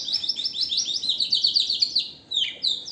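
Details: Canary singing a strong, fast song of high trilled phrases, rapid repeated notes sliding downward in quick series, with a short pause before brighter whistled notes resume near the end.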